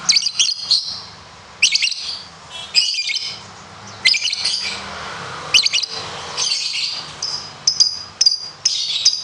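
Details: Competition lovebird: repeated bursts of shrill, squawky chattering calls, each roughly half a second to a second long, coming about every second with brief quiet gaps and a soft low hum underneath.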